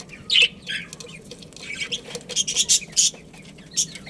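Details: Budgerigar breeding pair chattering: sharp, high squeaky chirps in short clusters, loudest at the start and in a run of rapid notes midway, with softer warbling between them.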